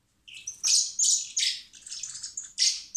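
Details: Common blackbird (Turdus merula) chicks being hand-fed in spring at a wildlife recovery centre before release beg with shrill, high, wheezy squeaks and chirps in rapid overlapping bursts, about three per second.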